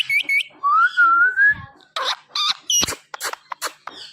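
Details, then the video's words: A ringneck parrot talks: a clear whistled note rising and holding, then a quick run of chattering, word-like syllables in a human-speech rhythm. "This Ringneck Parrot Talking Is Impressive"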